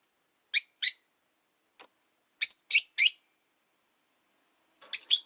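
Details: Rosy-faced lovebirds in a windowside cage holding five birds utter shrill single chirps in pairs and a trio, ending with a doubled, harsher squawking call.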